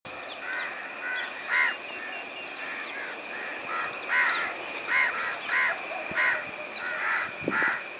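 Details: Plain prinia in Sri Lanka giving nasal, buzzy notes in short bursts, about eight phrases in eight seconds at an uneven pace, over a steady high hiss and a constant faint tone; a brief low rustle near the end.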